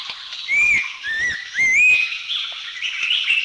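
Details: Abbott's Babbler in Thailand calling with pure, sweet whistles, each note sliding upward, three short phrases in quick succession over a faint constant hiss.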